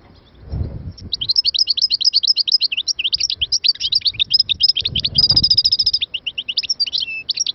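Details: Goldfinch song as a fast, continuous stream of high, tinkling twitters and trills, including a brief buzzy stretch midway, over soft low background noise.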